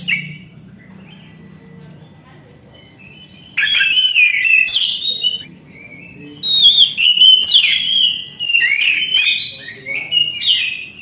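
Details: After several seconds of near silence with low hum, an orange-headed thrush bursts into loud song: rich whistled and slurred notes, rapid chattering and varied phrases in three long bouts.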